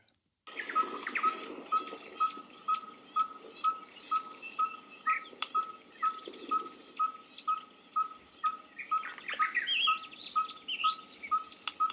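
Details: Red-fronted tinkerbird (Pogoniulus pusillus) song: a long, steady run of hollow, mid-pitched pip notes, about two each second, with other birds chattering at higher pitch behind it.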